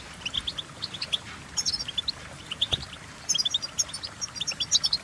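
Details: European goldfinch singing: bright, thin chirps and short twittering notes, high-pitched, in loose bursts with brief pauses, some notes doubled, against a faint low background hum.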